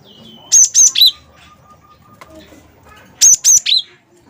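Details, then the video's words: Cinereous tit of the wingko type singing energetically, used as a lure to get other birds singing: two bursts of three high whistled notes, two sharp upslurred whistles then a lower note, separated by a pause with faint background noise. "gelatik batu wingko gacor"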